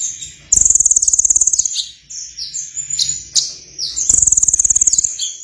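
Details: Sunbird singing actively. Very high, thin, rapid trills about a second long, separated by short sharp high chips and slurred notes. The pattern repeats twice in a few seconds, with no other clear sounds.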